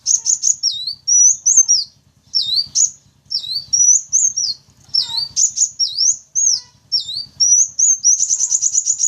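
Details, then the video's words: Sunbird lure sound for attracting wild sunbirds: shrill high notes, each sweeping down and then up, in quick bursts separated by short pauses, ending in a fast run of repeated notes, over a faint low hum. "Suara Pancingan Atau Pikat Burung Kolibri Wulung, Kaca, Jentit"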